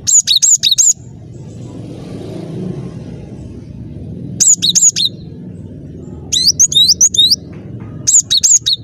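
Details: Lively cinereous tit song meant to serve as a trapping lure: clear high whistled notes in quick runs of three to five, phrases separated by pauses of several seconds, with soft low background hum between them.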